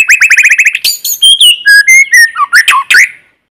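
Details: White-rumped shama, a lure bird in forest singing to stimulate newly caught birds: a fast rattle of repeated whistled notes, then varied clear whistles ending in harsh downslurred squeaks, all with no background noise.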